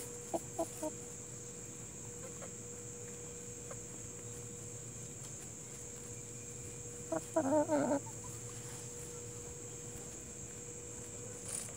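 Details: Plymouth Rock and Hamburg chickens: a few short clucks at the start, then a loud, harsh, rattling cackle lasting under a second, above a steady high background hum.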